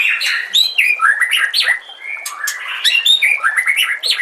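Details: Continuous white-rumped shama song of tumbling whistles, high chips and sliding notes, closely packed with almost no pause.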